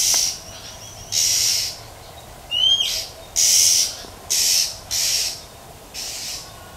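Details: A wild female Oriental magpie-robin in nature gives calls that stimulate males. The calls are mostly a series of six harsh, noisy 'chep' rasps at an uneven pace, with one bright rising whistle in the middle.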